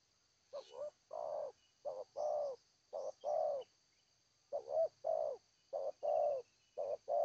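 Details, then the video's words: Zebra dove in Seladang Jati song style, repeating low, soft coo phrases about every second and a half. Each phrase is a short double note followed by a longer rolling coo. A faint steady hum runs beneath. "Terkukur- Seladang Jati suara pehhh mantap"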